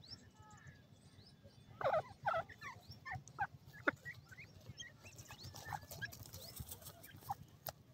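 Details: Grey francolin (teetar) from Sindh: after a quiet start, a burst of harsh, stacked, rapidly repeated notes comes between two and four seconds. Softer scattered calls and clicks follow over steady low background noise.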